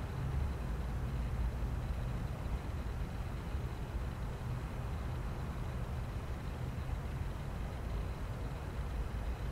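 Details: Low, continuous traffic rumble fills the recording, with no animal sound.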